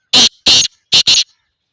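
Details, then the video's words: Black francolin, called Sindhi teetar, giving four harsh, buzzy, rasping notes. The first two are spaced apart and the last two come in a quick pair, all loud and clipped, against a silent background. "black tetter birds Sindhi teetar"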